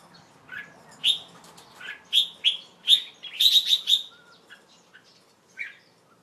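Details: A young pet red-whiskered bulbul sings on 1 January 2012 in the late afternoon, after a bath and while covered to rest. It gives a lively run of short, bright chirped notes, about a dozen in four seconds, then a few scattered ones against a quiet background.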